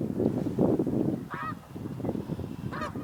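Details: Snow geese taking off at sunrise on spring migration in Canada, April 2015, heading to the fields to feed; loud low rushing and flapping noise with two sharp nasal honks cutting through.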